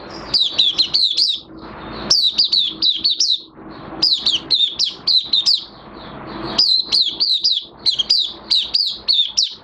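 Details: Singing Oriental white-eye in minor moult: fast chattering phrases of high, sharp, down-slurred notes, delivered in repeated bursts with brief gaps, a low hum faint underneath.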